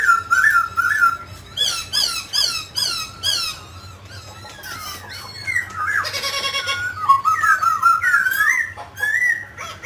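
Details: Mutant grey laughingthrush singing and dancing, delivering strongly harmonic squeaky notes in quick repeated groups, a brief loud rasping burst, then looping slurred whistles rising and falling, over a faint low hum.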